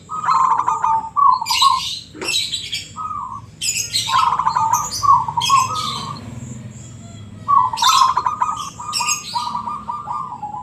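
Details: Ngebrem-style song from a local zebra dove: three long trilled cooing phrases, each ending in drawn-out steady notes, and loud harsh crackling bursts high above between and over them.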